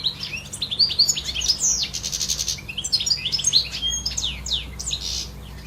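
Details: European goldfinch singing in nature, a fast, bright jumble of high chirps, slurred tweets and a short buzzy rattle, running without break over faint low background hum.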